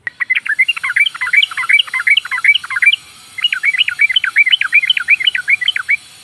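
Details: Female sooty-headed bulbul (trucukan), used to provoke rival birds into answering: a rapid run of bright, bubbly chirps that sweep up and down, pausing briefly midway before another quick chattering series.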